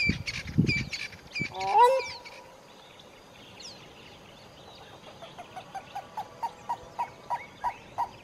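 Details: Grey-crowned crane foraging among reeds in a conservancy along the Haga Haga river, Eastern Cape, South Africa. Rustling opens, then one loud honking call with stacked rising tones near two seconds, followed by a steady run of quiet frog-like pulses.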